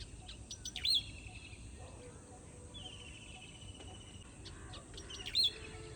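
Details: Morning bird chirps: sharp high twittering notes near the start and end, plus a steady whistled tone in the middle, over faint low background noise.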